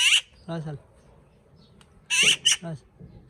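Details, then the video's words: Talking parrot kept as a pet letting out two loud, harsh squawks, each followed by a lower, voice-like harmonic utterance, with quiet pauses between and a soft room hum. "Talking parrot"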